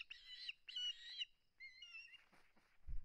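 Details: Osprey on its nest, live camera, 21 August 2020, over a flounder it will not give up; two drawn-out, squealing whistled calls, then thinner wavering whistles, ending in a burst of wind.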